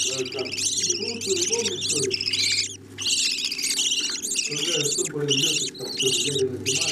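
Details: Budgerigar parents feeding their chicks; the young give long runs of shrill, scratchy, warbling begging calls, broken by a short gap near the middle, with a low background hum throughout.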